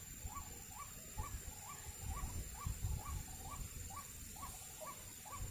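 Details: White-breasted waterhen, locally baburak or kreo padi, filmed around bird trapping: a regular series of short hooked notes, about two per second for five seconds, partly masked by heavy low rumbling noise.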